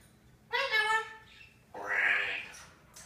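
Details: Pet parrot in a lively mood, delivering one-liners: two loud, speech-like phrases, the first rich and harmonic, the second a brighter, rasping burst, with a short pause between them.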